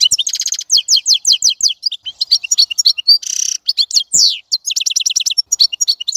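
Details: European goldfinch song: rippling strings of high, quick twittering notes, descending slurs and a nasal buzzy trill in the middle, continuous and lively.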